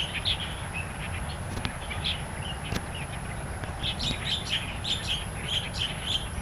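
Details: Starling song recorded in the wild in Taiwan: clear whistled and chirping notes come in bursts, sparse at first, then a lively string of repeated squeaky notes in the second half. A low rumble sits beneath.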